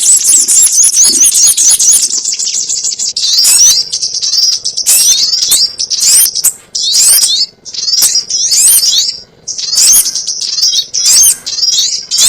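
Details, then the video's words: Sogon lure sound for bird trapping: bursts of high, shrill twittering chatter, fast squeaky notes run together, separated by short pauses of about half a second. "SUARA PIKAT BURUNG SOGON ONTONG"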